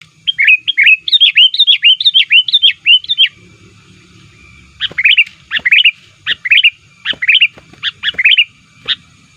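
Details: Sooty-headed bulbul call used to lure wild bulbuls, an active, aggressive call meant to press rivals: rapid runs of bright chirping notes, a burst of about a dozen, a pause, then spaced paired chirps repeating roughly every half second.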